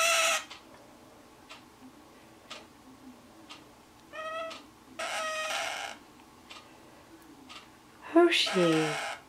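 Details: Indoors on June 15th, a male scarlet-chested parakeet, kept as a pet with his older female mate, starts crying again after calming; short harsh rasping screeches come in three bursts between quiet ticks, with a woman's soothing voice.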